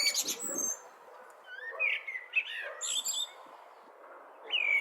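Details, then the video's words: Blackbird song heard at moderate distance: a short, high rustle, then a mellow warbled phrase of gliding whistles tipped with a high squeaky flourish, and a final rising fluted note, over steady background hiss. "Black Bird Chirping Sounds"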